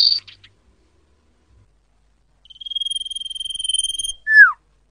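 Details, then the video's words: Common iora call used to lure birds for trapping: a brief buzzy rasp opens, then after a pause a long even whistle ends in a falling, sliding note. "SUARA BURUNG CIPOH/SIRTHU BUAT PANCINGAN PIKAT"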